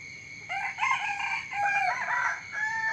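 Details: Morning crowing from more than one rooster. Overlapping cock-a-doodle-doo phrases fill the whole stretch, some notes long and sliding, over a constant high background tone.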